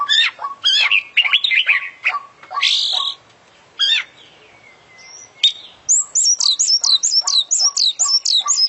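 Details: Kacer, or oriental magpie-robin, an international champion, in full isian song: busy buzzy chattering phrases, a short pause with a thin drawn whistle, then a rapid chain of high looping whistles over repeated lower ticks.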